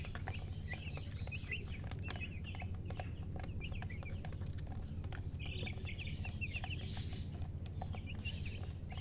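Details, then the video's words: Chicks, baby domestic chickens, peeping continuously: brief high thin chirps repeated irregularly about one to two per second, sometimes in quick clusters, with a steady low hum and faint clicks behind. "Baby "Chicks Chirping""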